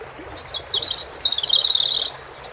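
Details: European robin singing over a steady stream of running water; one high, thin warbled phrase with quick sliding notes and a shimmering trill, lasting over a second.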